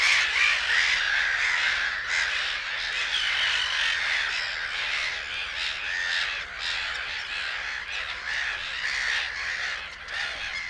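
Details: Field recording of Black-headed gulls calling from Matsalu reed beds, USSR, released 1979: many birds at once produce rapid, ragged, screechy squawks about three per second, loud and unbroken, with the chorus slightly fading toward the end.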